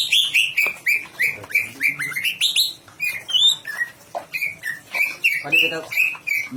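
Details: Cucak ijo, the greater green leafbird, in full competition-ready song: rapid, continuous run of short ringing whistled notes, several rising in steps, with occasional lower slurred notes and a brief buzzy rattle near the end.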